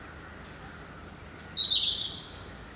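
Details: Unidentified bird singing at dawn outside a window: high, thin drawn-out whistled notes, one sustained high tone then a lower steady whistle, clear and loud against quiet background.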